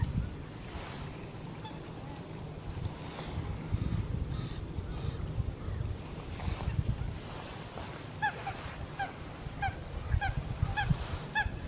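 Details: On a morning lake in the Eijsder Beemden nature reserve, Limburg, on 7 October 2024, groups of Eurasian coots preening give a burst of short, sharp, clipped calls in quick succession near the end, over steady low rumbling wind and water noise.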